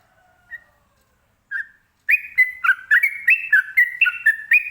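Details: Sooty-headed bulbul, known locally as trucukan, giving its ropelan song meant to draw answers from other birds: a few soft opening notes, then rapid clear whistled notes of varying pitch, about four per second.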